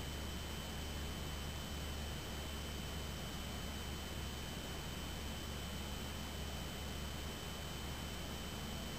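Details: Steady broadband hiss with a constant low electrical hum and a fixed high tone throughout, and no animal voice.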